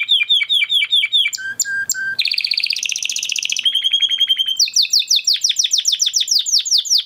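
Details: Huppe Spanish Timbrado canary bred in 2020 and kept with a flock, in training song: swooping downslurs, a few low clucking notes, a buzzing high roll, a steady whistled trill, then quick repeated swoops.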